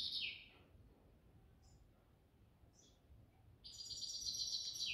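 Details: Grey-headed goldfinch singing in the evening: short bright twittering phrases, high and rapid, at the start and again from about four seconds, separated by near-silent pause with a couple of faint distant notes.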